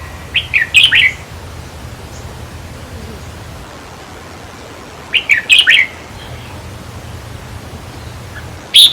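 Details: Red-whiskered bulbul song used with a trap cage, played to caged birds to excite them: short bubbly phrases of four or five quick whistled notes, repeated about every four to five seconds over faint low hum.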